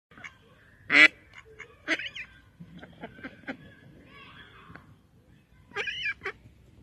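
A female Mallard gives loud, harsh quacks, one strong burst near the start and another pair near the end, with softer nasal notes between.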